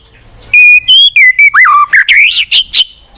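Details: White-rumped shama, known locally as murai batu, singing to prompt a silent bird: loud pure whistles held steady, then sliding and swooping phrases, ending in rapid rising-falling chirps.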